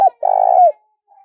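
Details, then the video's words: Caged decoy spotted dove used to lure wild birds. The end of a short coo is followed by one prolonged, low, steady coo that bends downward at the finish. "Chim cu gáy mồi và tiếng cu gáy mồi kích bổi"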